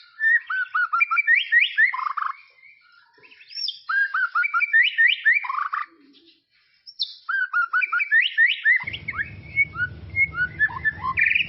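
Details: Tropical forest white-rumped shama repeats a rich phrase of rising and falling whistled notes several times with short pauses; a low rumbling noise enters toward the end under continued twittering.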